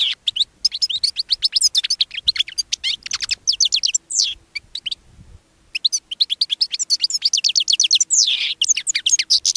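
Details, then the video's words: Sustained rapid twittered song of a caged European goldfinch, later interrupted by a linnet. High chirping phrases break for about a second midway, then resume, with a drawn-out buzzy note near the end. "Caged GOLDFINCH Singing Interrupted by LINNET"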